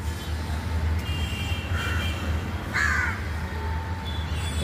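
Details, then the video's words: On a cold winter morning around sunrise at Omkareshwar temple, a crow following the speaker gives two harsh, nasal caws about a second apart over a steady low rumble. "इकडे कावळा माझ्या मागे मागे येऊन काव काव करतोय तर"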